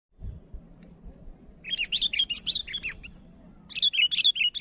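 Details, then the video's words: Sooty-headed bulbul calling rivals: after a low rumble at the start, two bursts of quick, bubbly, wavering whistled notes, a run of about eight then a second run of five. "Suara burung Kutilang Gacor memanggil lawan"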